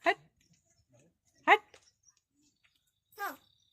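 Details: Black crow known for talking, recorded in Wada, Palghar district, India, gives three separate harsh, throaty bursts about one and a half seconds apart, each brief and rough, in an otherwise quiet setting.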